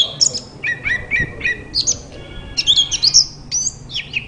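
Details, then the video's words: Oriental magpie-robin song meant to get a quiet bird answering: quick series of short chirps, then a string of high, varied whistles and sharp trills, lively and continuous, with one dull thump early on. "Burung kacer terapi dari tidak bunyi langsung saut dengan suara ini dijamin gacor"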